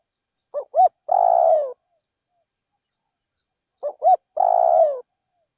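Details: Rice-field decoy spotted dove giving two identical cooing phrases about three seconds apart. Each phrase has a pair of quick soft notes and then a long, rough-textured, gently descending coo. The background is otherwise quiet.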